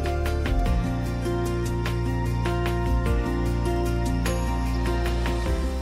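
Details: Gentle instrumental music with plucked notes and sustained low tones, with no animal sounds.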